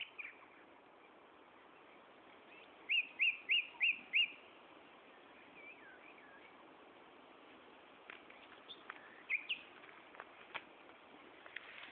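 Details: Common nightingale singing at Gaasperzoom on 16 May 2012 at 15:30, a rapid run of five identical sharp notes followed by scattered softer chirps and brief clicks over steady background hiss.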